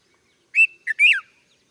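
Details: Red-vented bulbul calling once with three bright notes in fast succession, a sweet whistled opener, a short dip, and a warbling slurred ending, no other sounds around.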